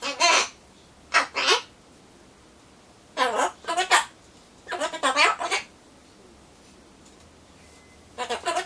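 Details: Solomons corella kept as a pet, chattering to itself before its pumpkin arrives: short clusters of human-like spoken syllables separated by second-long silences, about five bursts in all.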